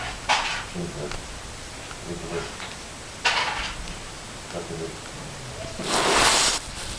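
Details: A parakeet, apparently objecting to being touched, gives three harsh, raspy screeches a few seconds apart, the last longest, with softer low murmurs, probably human voices, in the gaps.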